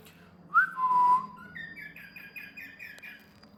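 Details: Pet male cockatiel that loves his reflection, whose owner says he is losing his hearing, gives a clear whistle, then a quick run of bright, rising chirps.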